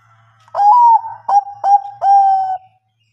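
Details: Zebra dove of the Bangkok type, used to coax lazy birds into singing, gives one phrase of four soft coos: a long bending first note followed by three shorter notes. A faint low hum is heard beforehand.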